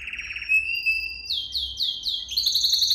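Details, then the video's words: Canary song for training canaries: a brief rolling trill slides into a steady whistle, then loud swooping notes and a bright rattling tour. "Most powerful song for training Canary"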